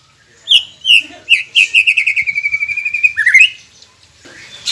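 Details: Training song of a white-rumped shama, played to make silent caged birds start singing. A few loud introductory whistles lead into a quick, accelerating trill of bright repeated notes, ending in a rising, sliding flourish.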